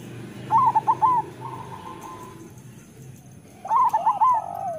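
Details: Local zebra dove (perkutut) cooing, used as a master recording to prompt lazy or moulting doves to sing: two bright, rolling phrases of four quick warbled coos, about three seconds apart, with a faint steady hum behind.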